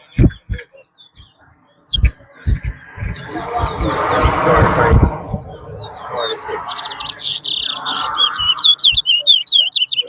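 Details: Twa-twa, the chestnut-bellied seed finch, in a Rosehall, Guyana singing race: high, wavering whistled figures and quick repeated trills build toward the end over a broad noisy wash and scattered knocks.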